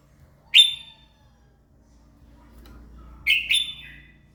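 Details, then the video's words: Red-whiskered bulbul morning song for prompting birds to sing: a sharp bright chirped note, a pause, then a quick two-part warbled phrase, with faint hum underneath. "kích chào mào hót buổi sáng giúp chim hót căng lửa"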